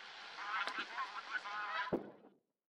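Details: A flock of taiga bean geese, one a white bird thought to be leucistic, on spring migration stopover in Shari, Hokkaido, April 2021, gives a rush of overlapping nasal, reedy honks, broken by a sharp knock near the end before falling quiet.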